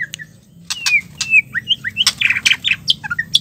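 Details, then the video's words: Female white-rumped shama, a call meant to draw stressed males back into singing. Sharp clicks mixed with short whistled slides, then a busy burst of harsh chips and high ticks. "suara betina murai batu ampuh untuk memancing murai stres,macet bunyi"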